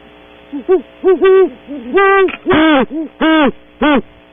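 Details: Pair of great horned owls visiting a tree cavity in the early morning at Audubon Starr Ranch, California, caught on a wildlife camera: deep hoots with strong harmonics, some short and some drawn out, overlapping in an irregular exchange, over a steady electrical hum.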